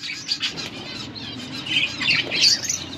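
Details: Budgies chirping: a busy chatter of overlapping high chirps and a few harsher squawks, with a low background hum throughout.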